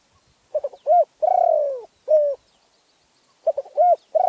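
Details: Spotted dove from Phrae, Thailand, singing: a few quick stuttered notes, a short coo, a long pulsing descending coo, then a final clipped coo; a second phrase begins after a brief pause.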